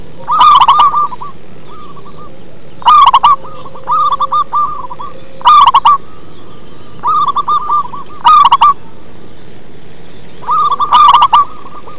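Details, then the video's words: Local zebra dove singing in a deep bass tone, loud rolling coo phrases alternating with softer answering runs about every two seconds, some six loud bursts in all, over a steady low background hum. "Perkutut lokal manggung ngebas"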